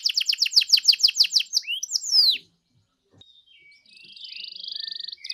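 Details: Canary song played as a lure to get another canary singing: a fast series of bright, descending whistled notes, then a swooping slur, a short pause, and a long, even, buzzy trill.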